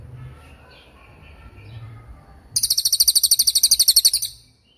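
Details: Songbird-training recording of a cililin: after a quiet stretch with faint low background noise, one sharp, high, rapidly pulsed trill lasts nearly two seconds, then stops abruptly.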